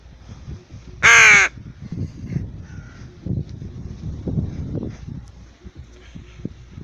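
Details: A tame rook heading out for a walk utters one short, very loud, grating caw early on, followed by a faint nasal note and steady low rustling and footstep-like noise.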